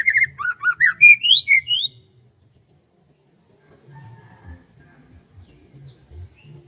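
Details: Morning rice-field bird song: a quick two-second run of high whistled and slurred notes, rising and falling. Quiet low rumbling follows.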